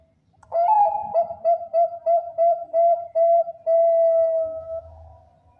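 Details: Song of a champion Bangkok zebra dove, used to lure other zebra doves: a bright opening note, then about eight clipped, hooting coos in quick succession, closing on a drawn-out steady whistle that fades into a soft low hum.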